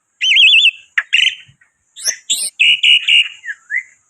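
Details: White starling (black-winged myna), chatty lure recording: a loud warbled trill, a sharp harsh burst, then a series of strong whistled notes ending in short slurred whistles.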